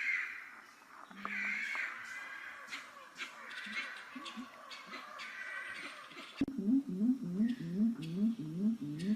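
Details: Grey-winged trumpeter, locally called Waracaba, in Suriname, giving its normal contact call that keeps the flock together and tells where all the individuals are: low hooting notes repeated rapidly in a steady series, with insect buzz and rustling noise around.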